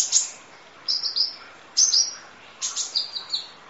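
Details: Sunbird known locally as kolibri ninja, from masteran training audio with full 'isian nembak' fill: three bursts of high buzzy chirps and falling slurs, separated by short gaps of about a second.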